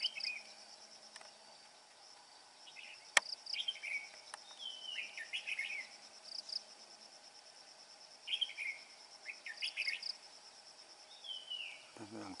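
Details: Male red-whiskered bulbul carrying food to its chicks while still singing: short clear whistled phrases, some sliding downward, spaced a few seconds apart against a constant high insect-like hiss and one sharp click.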